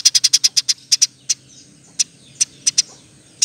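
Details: Eurasian tree sparrow, a training recording for cage birds: a fast run of about ten sharp high chirps, then single chirps spaced out with brief silences between them.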